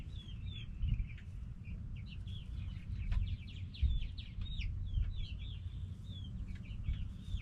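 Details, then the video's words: Backyard hens and roosters making noise: a steady stream of thin, high chirping notes, several per second, over loud low rumbling background noise. "Back yard chickens making noise🐓 Relaxing sounds of hens and roosters"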